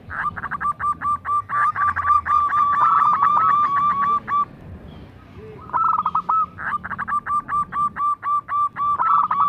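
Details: Local zebra dove in full bekur kerot song, used to coax other doves into singing: long runs of short, ringing coo notes about four per second with rolled warbles woven in, a short pause, then the series resumes.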